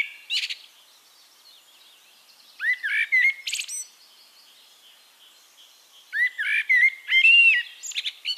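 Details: Eurasian blackbird singing in Castricum, the Netherlands: two fluty phrases of low mellow whistles rising into sharp high twittering flourishes, separated by a few seconds of quiet with faint distant birds behind.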